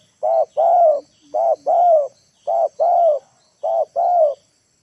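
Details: Late-afternoon spotted dove lure bird cooing to bring wild birds down to the ground, four evenly spaced phrases each of a short coo followed by a longer, slightly falling hollow coo.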